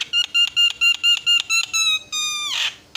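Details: Fast lure song of a Javan myna, aimed at triggering rival mynas to call back: a rapid series of loud, evenly spaced ringing notes, then a longer falling whistle and a harsh rasping burst.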